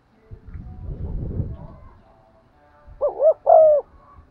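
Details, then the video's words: Rumbling, rustling noise for over a second, then a spotted dove, cooing to stimulate wild birds, gives a short double hoot and a longer steady low coo. "tiếng cu gáy gù và thúc giọng son anh em mở nên kích bổi thì rất hiêu quả"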